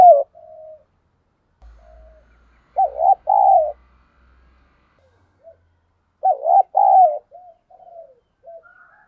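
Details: Spotted dove used as a decoy to stir wild birds to fight. Two strong double coos, a clipped note then a drawn-out one, come several seconds apart, with soft murmured coos between and a faint low hum.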